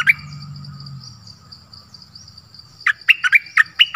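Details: Dok taeng bird, a decoy bird, calling for a mate in a forest on 13 January 2021: a sharp chirp opens, then after a pause a burst of six quick, bright, falling chirps, with a faint steady insect hum behind.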